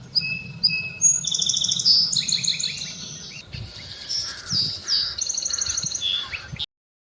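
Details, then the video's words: Song Sparrow song: a few clear, high introductory notes, then a buzzy trill and a quick jumble of varied whistles, with a faint low background rumble. "song sparrows sing throughout most of the year they start singing on Sunny Mornings in late winter"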